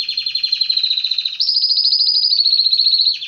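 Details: Canary song: a fast rolling trill held steady, then a sudden jump to a higher, sharper trill that runs evenly for nearly two seconds before dropping back down.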